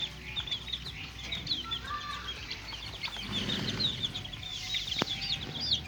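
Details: Young chickens playing, chicks kept in a cage, giving a dense chorus of high, short peeps and chirps overlapping continuously, with faint low rumble and a sharp knock near the end.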